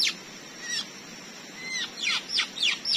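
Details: White-rumped shama from the Indonesian forest, squaring off against a trapping lure: scattered, loud, high notes, with brief clean whistles between steep downslurred and upswept strokes, more tightly bunched near the end.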